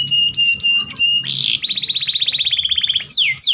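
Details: Canary singing to stimulate mating in males: a few sharp repeated chips over a steady whistled tone, a brief buzzy burst, then a rapid even trill of about twenty notes ending in two falling sweeps.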